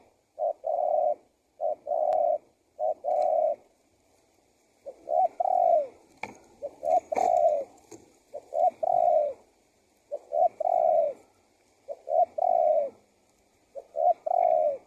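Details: Spotted dove (tekukur) lure recording meant to draw wild doves in and prompt others to call. Soft, hollow coos come in short grouped phrases, repeated steadily throughout, with faint light chirps in the background.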